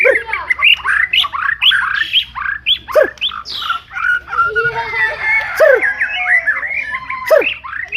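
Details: Murai song of the BORDAN type used as a master recording: a dense run of varied whistled notes, rising and falling slurs and sharp chips, with a steady low hum underneath.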